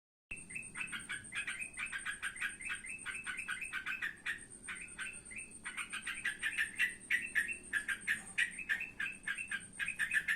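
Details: Trotokan bird calling in the evening: dense, rapid chattering notes repeated in quick bursts, with a short pause near four seconds and a steady high whine running behind.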